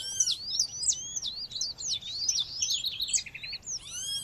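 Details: Female seedeater (coleiro or papa-capim) calling to stimulate males: a quick, continuous run of high, thin slurred chirps and zigzag whistles for about four seconds, ending with a few stacked, arched notes; faint low background hum.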